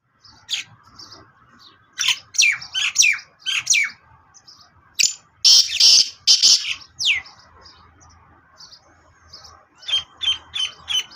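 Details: Sindhi black francolin (kala teetar) calling: runs of loud, harsh, steeply falling notes in quick series, mixed with scattered higher chirps and short broadband rasping bursts, over a faint low hum.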